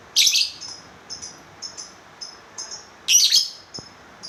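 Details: Lovebird chirping: two loud, high, buzzy bursts about three seconds apart, with fainter short chirps repeated between them in a quiet room.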